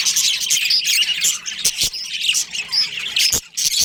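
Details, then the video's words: Budgies in a colony with a breeding pair, chattering squawks and short whistled notes tumbling quickly and irregularly, plus a few brief knocks in the background. "Cute Budgies Chirping Sounds"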